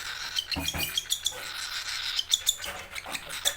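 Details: Hungry baby cockatiel calling for its keeper, giving short high chirps mixed with scratchy noisy bursts in a small room, with faint low bumps beneath.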